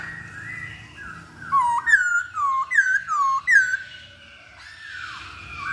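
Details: Masked laughingthrush song used to lure a bird into singing: soft sliding whistles give way to four loud, bouncing whistled phrases about half a second apart, then quieter drawn-out tones.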